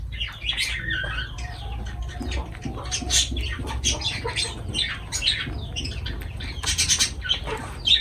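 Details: Lovebirds at food, giving harsh squawks and short high chirps in irregular runs, with a brief lower call near the start and a faint low hum behind.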